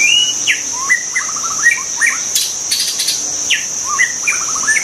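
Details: Wild white-rumped shama singing varied phrases: clear rising whistles, slurred notes and quick rattling trills in short bursts, over a steady high-pitched insect drone.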